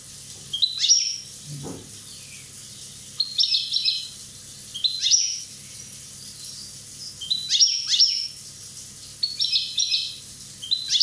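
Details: Corsican European goldfinch aged one year delivering a series of short tinkling high phrases with chattering notes and sliding sweeps, spaced irregularly a few seconds apart, with one brief low thud early on.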